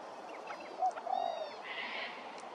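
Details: A spotted dove at Hervey Bay, Queensland, gives a couple of soft, low, hooting coos in quick succession, with faint background hiss and other distant bird notes.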